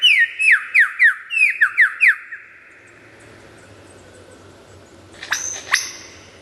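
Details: Lyrebird pouring out a fast series of about ten crisp, downward-slurred whistles, then a quiet gap and two sharp high notes at the end, loud and clear.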